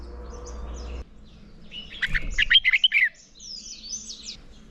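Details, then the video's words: Red-whiskered bulbul giving a morning contest song, recorded for training caught birds: a single loud, rapid phrase of bright warbled notes lasting about a second, followed by softer twitters. "Chào Mào Hót Đấu - Kích Chào Mào Hót Sáng Luyện Giọng Bổi Hót Đấu Căng Lửa"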